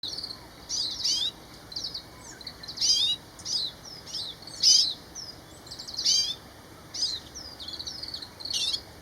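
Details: Grey-capped greenfinch calling: short bright twittering notes and buzzy trills in loose bursts every second or two, mixed with brief high chirps; steady hiss in the background.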